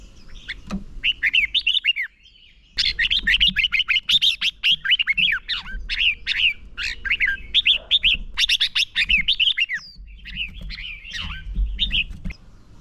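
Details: Red-whiskered bulbul used as a decoy, singing a heated fight song to provoke wild birds and train singers for contests; a long, dense string of quick whistled and warbled notes after a brief pause, with faint background rumble.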